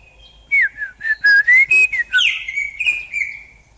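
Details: Leafbird singing: a loud run of clear whistled notes sliding up and down, some short and choppy, ending in a long falling whistle, in a quiet setting.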